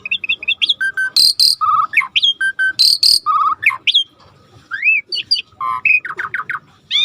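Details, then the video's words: Starling singing in lively gacor style as a masteran training recording: a rapid varied medley of whistled upslurs, buzzy harmonic notes, loud broadband rasps and fast chattering trills, delivered in dense bursts with brief pauses. "Suara jarak Suret gacor /the sound of the starling suret gacor masteran"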